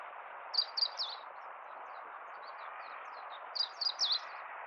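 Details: Meadow bunting singing on a spring walk in central Hyogo, Japan, North Harima, April 10, 2021: two high, quick phrases of short buzzy chirps and slurred notes, separated by a pause, over steady low background noise.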